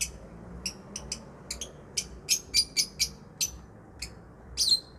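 Lovebird giving sharp, shrill chirps in an uneven series, about two or three a second, a few louder and harsher, over a faint low background hum.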